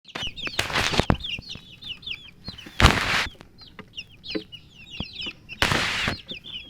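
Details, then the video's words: Chicks of domestic chicken chirping from thirst for drinking water: many thin, high peeping notes in quick overlapping series, broken by loud bursts of broadband rustling or scratching noise. "Murgi chicks Chirping sounds with thirst for drink water"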